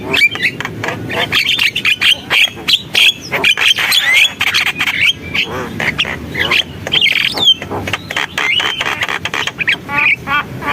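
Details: Javan myna in lively full song, a dense stream of harsh squawks, chattering bursts and short whistled slides, loud and varied throughout with scarcely a pause.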